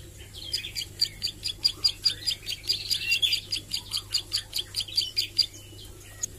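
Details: A Plain Prinia (ciblek sawah) learning to sing and shoot out 'nembak' notes delivers a sustained string of rapid, high, clicking notes, roughly two to three per second, fading out near the end.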